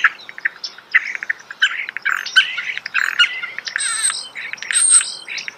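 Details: Starling song heard close up in a natural setting: a dense, rapid stream of chattering clicks, chirps and short whistles, with a buzzy rattling passage before the end.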